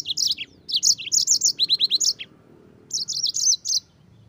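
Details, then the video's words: Yellow-fronted canary in continuous song, meant as master song for other birds: long run of sharp high chirps, including a series of evenly repeated rising notes, then a fresh twittering phrase. "PALING JITU untuk MASTERAN BURUNG PLECI - dengan suara Mozambik gacor ngerol nembak durasi."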